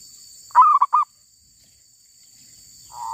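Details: Wild female zebra dove from a trapping session gives one loud three-note coo, a throaty opening note and two clipped ones, then a soft drawn coo begins at the end; faint steady hiss throughout.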